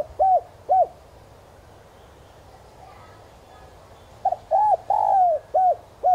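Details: Spotted dove decoy cooing to attract wild doves in a 'giọng son' voice: two separate short coos, several seconds of quiet, then a full phrase of a doubled note, rounded coos, a long falling coo and two short ones.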